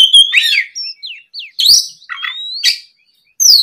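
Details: Oriental magpie-robin singing in the afternoon, used as a lure to get other magpie-robins to answer and sing: rich, varied whistled phrases mixing rising and falling slurred notes, sharp high chips and a long rising whistle, with short pauses between bursts.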